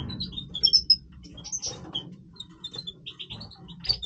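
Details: Major goldfinch in breeding song, giving thin high chirps, sharp whistled notes and soft twittering in loose sequence, with faint low hum.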